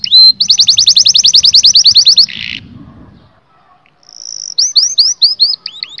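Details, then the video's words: Canary song, played to stimulate males and females to mate: a fast, even trill of high repeated notes for about two seconds, a brief buzzy burst, a pause, then a run of sweeping upslurred whistles. "التغريد الاقوى في عالم طيور الكناري لتهيج الذكور وتهيج الاناث على التزاوج"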